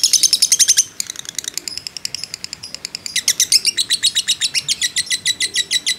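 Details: Caged fighter lovebird giving a long ngekek as a training model: a burst of shrill chatter, a brief softer patch, then a renewed fast, buzzy run of evenly spaced notes.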